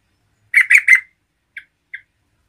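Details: Actively singing yellow-vented bulbul, played to provoke other bulbuls: three rapid loud bubbly, chortled phrases, then two short, quieter chirped notes spaced about half a second apart.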